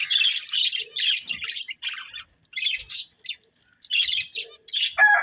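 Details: Chattering budgerigars from a breeding pair: loud, scratchy, high-pitched warble phrases repeated in quick bursts separated by short silences, ending on a sharper squeak.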